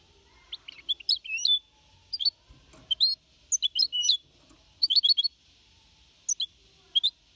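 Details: Goldfinch hybrid aged four and a half months, Malaga-copy song used to motivate other birds: scattered short bursts of sharp high chirps and twittering notes separated by brief silences.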